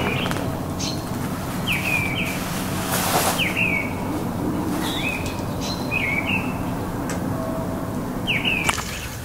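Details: Mistle thrush singing at Champagneux on 27 January, among the first signs of spring: short, clear whistled phrases with quick downward slurs, repeated with pauses of about a second or two, over steady rumbling background noise.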